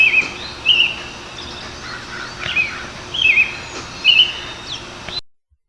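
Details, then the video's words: An American Robin sings short, rich, warbled phrases of two or three notes ("here I am, where are you?") in a steady run. Each rises and falls, with brief pauses between, over a soft outdoor hiss. "The American robin's song is a continuous two or three notes that sounds like here I am, where are you?"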